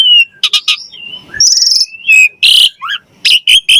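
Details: Javan pied starling in energetic gacor mompa song: short bursts of harsh, buzzy notes mixed with thin whistles and slurred rising tones, delivered in rapid, uneven phrases.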